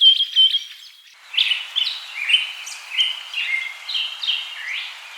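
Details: Bird singing: a bright run of high, clear notes, then a pause and a string of whistled, slurred phrases that rise and fall, with faint background hiss.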